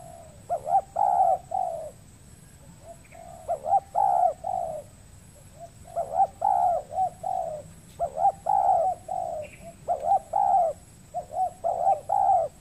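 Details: Spotted dove cooing at a decoy trapping spot on peatland in the Riau Islands, Indonesia, where a wild bird calls often but is reluctant to fight. Rhythmic phrases of short, mellow coos come in repeated bursts separated by quieter gaps.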